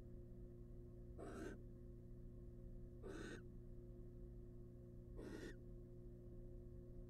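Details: Incubating barn owl mother in a wild nest box: three rasping, noisy hisses roughly two seconds apart, each short and breathy, with constant low humming beneath.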